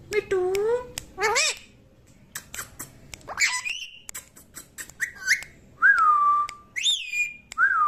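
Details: Green parrot talking nonstop while playing, mixing low gliding whistles, rising harmonic squeals, clicks and flat sustained whistled tones in quick irregular bursts.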